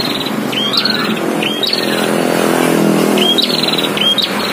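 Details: Prinias, caged against wild, in a heated fight: high whistles with short rattling trills come through a loud, noisy background, in two groups a couple of seconds apart.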